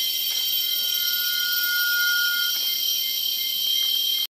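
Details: A rail-babbler singing at Hala-Bala, Narathiwat, Thailand on 13 April 2014 gives a single long, thin, even whistle of about two seconds over a loud, steady, high-pitched insect chorus.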